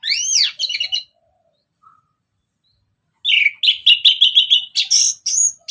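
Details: Orange-headed thrush, ngeplong style, played as a lure to excite other birds: upward-swept whistles and chatter, a pause, then a long rapid run of repeated sharp notes and trills with high squeaks.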